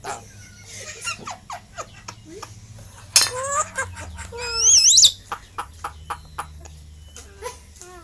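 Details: Tame Asian pied starling kept as a pet, known for copying human speech, uttering a string of clicks and short voice-like notes, then a rasping burst and a loud wavering whistle near the middle.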